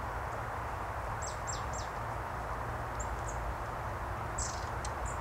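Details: In leafless winter trees at the Sieglarer See near Bonn, Germany, a flock of long-tailed tits makes quick triple bursts of thin, downslurred high notes, then scattered single calls, above a loud continuous low rumble.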